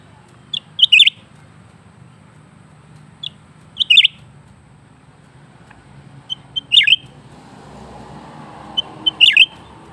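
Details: Caged lesser green leafbird (cucak ranting), kept on bananas and crickets, singing persistently: short high phrases of two or three thin notes ending in a bright chattering burst, repeated about every three seconds over a low background hum.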